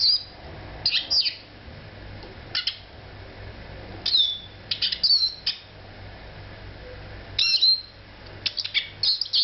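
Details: Eurasian siskin giving scattered short, high calls, some as thin whistles that fall in pitch, others as brief chirp clusters, spaced by pauses of a second or more.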